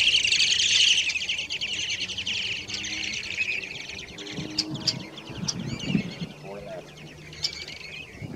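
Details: Several Short-billed Dowitchers, largely hendersoni subspecies, calling while feeding on floating mud at Point Pelee National Park's Marsh Boardwalk, Ontario, 11 May 2019; loud, fast overlapping high chattering fills the first three seconds, then thins to scattered sharp notes over low background rumble.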